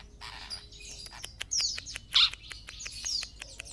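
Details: Long-tailed shrike, Sapudi type, giving scattered high chirps and one loud rasping note near the middle, between quick dry clicks and quieter pauses.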